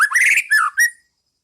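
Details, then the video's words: Brief White-rumped shama phrase, pastol ngeplong style, used to train caged birds: a loud warbled, buzzy whistle, then two falling whistled notes. "Masteran Pas Burung Murai batu Biar ikut bunyi"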